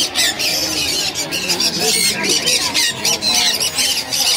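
Shrill, piercing lovebird chatter and squawks run continuously, sharp high notes overlapping in a busy, harsh stream with no pauses.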